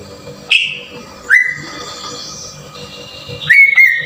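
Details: Green leafbird whistles from a lure meant to trigger singing in the rough 'tembakan kasar' style: three separate loud, upslurred whistled notes, each levelling off and fading, spaced about a second or two apart.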